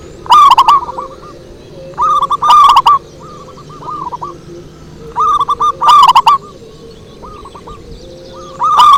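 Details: Zebra dove singing a lure song: three loud bursts of mellow, rolling cooing notes, each phrase a rapid run of short bubbling coos, with quieter trailing coos between bursts.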